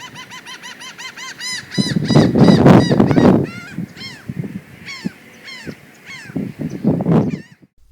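A Laughing Gull gives quick runs of nasal, strident 'huh' notes, about four a second, like a human laugh. A deep rumble of wind or surf runs underneath.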